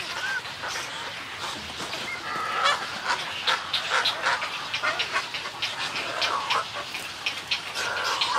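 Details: Snowy egrets calling in a colony, recorded at medium close range: a dense chorus of harsh, raspy croaks and squawks overlapping without pause, with several birds calling at once.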